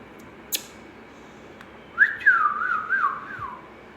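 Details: Young pet ringneck parakeet giving one wavering whistled phrase of about a second and a half. It rises sharply, then undulates up and down before sliding lower. A single click comes earlier, in an otherwise quiet indoor setting.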